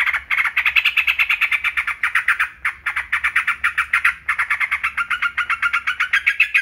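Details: Yellow-vented bulbul, or trucukan, kept in a cage, pouring out fast chattering, bubbly notes in a nearly continuous stream with one brief break midway.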